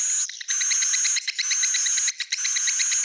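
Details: Edible-nest swiftlet roosting call meant to attract the birds: a continuous raspy, high buzz laced with evenly spaced ticking pulses, cut by two short breaks.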